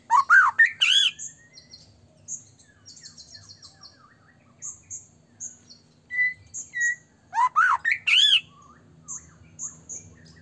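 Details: Singing white-rumped shama, played to provoke other shamas into song: loud clusters of rising whistles and buzzy notes at the start and again near the end, separated by soft, scattered high chips and quiet whistles.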